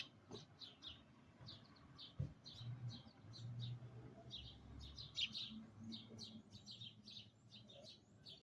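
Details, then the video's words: Sparrow singing just outside a window, recorded up close: a steady run of short, bright chirps and tweets repeated in quick bursts throughout, over a constant low rumble of background hum. "Bird Singing outside window upclose"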